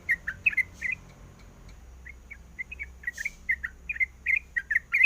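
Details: Sooty-headed bulbul female calling a male: bursts of short chirps, a one-second pause, then a quickening run of bubbly notes, with two sharp clicking noises.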